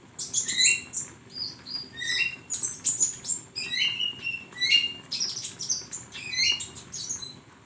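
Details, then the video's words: Flowerpecker heard on a songbird training recording, with a lively, continuous chatter of piercing high chips and brief rising and falling squeaks, repeated in quick clusters. "masteran burung Konin"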